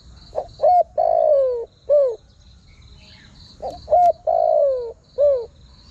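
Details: Spotted dove calling to draw in wild birds, two complete phrases: short coo, short coo, long mellow downward croon, short coo, the pattern repeating after about a two-second gap. Steady insect hum throughout.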